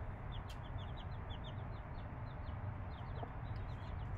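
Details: Young chicks, five days old, with their mother hen: evenly spaced high, thin, slurred peeps repeated through the clip, one sharp click early on, and a droning low hum throughout.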